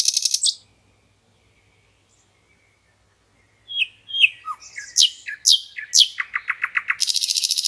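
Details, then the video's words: Common nightingale singing in a green forest by a river: a high buzzing burst, a long pause, then varied sharp chirps and slurred notes speeding into a rapid repeated trill and a final dense high buzz. "REALTIME Nightingale Singing"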